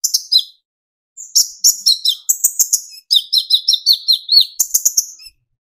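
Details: Sustained song of a young olive-backed sunbird (kolibri ninja) meant to spur other birds to sing: rapid strings of high, sharp, slightly descending chirps in three bursts separated by brief silences.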